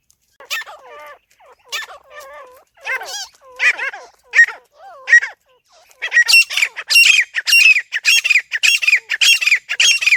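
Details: Grey francolin calling, played as a hunting lure: spaced, wavering, nasal notes at first, then from about six seconds a fast series of harsh, piercing screeches repeated roughly twice a second until the end.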